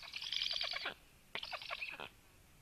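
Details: Black woodpecker at 13:06, with a female bringing a lot of food. Two loud, harsh bursts of rapid chattering notes, each lasting about a second, separated by a short quiet gap.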